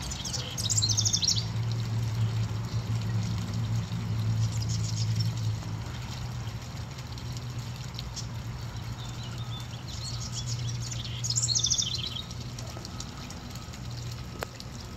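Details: A male House Wren, going from birdhouse to birdhouse on a cloudy day to attract a mate, gives high, bubbling, tumbling song bursts about a second long, about ten seconds apart with a fainter one between, over a steady low rumble.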